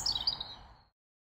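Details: A European robin singing around Wargrave gives a brief song fragment: a quick run of thin, high, tinkling notes that falls slightly in pitch and fades within a second.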